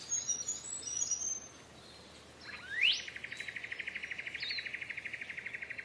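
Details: Green leafbird song for training caged birds: an upward-sweeping whistle, then a long fast trill of evenly repeated buzzy notes at one pitch, with faint high chatter before it.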